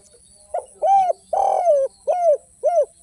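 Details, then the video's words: Spotted dove, known locally as derkuku, singing hard in the 'without kuk' or 'kuk 1' manner: five coos in a single phrase. A soft opener, an arched hoot, a long buzzy falling coo, then two clean arched hoots in a quiet setting. "SUARA BURUNG DERKUKU TANPA KUK DAN KUK 1 GACOR"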